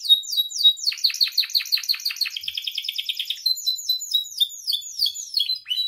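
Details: {'text': 'Captive canary song used as a training and provoking recording, a lively full song: rapid repeated chirping trills and rolling notes, bursts of descending buzzy syllables, continuous bright high-pitched twittering throughout.'}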